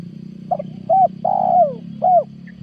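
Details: Spotted dove lure call from 2022, meant to draw in wild doves. One cooing phrase: a short note, then a long mellow coo sliding downward, then a final clipped coo. A steady low hum runs underneath.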